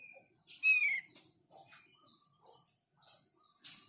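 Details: Thick-billed white-eye song: a loud, bright, slightly descending chirp, then a series of short, high, rising whistled notes about every half second, with faint lower twitters between them.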